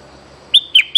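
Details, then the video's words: Bulbul song used to lure birds: three sharp, bright whistled notes, each a quick downward slur, about a fifth of a second apart after a quiet start. "เสียงต่อนกดอกแตงEp.164 วัยรุ่นกำลังห้าว!! Suara pikat merbah lekir gacor"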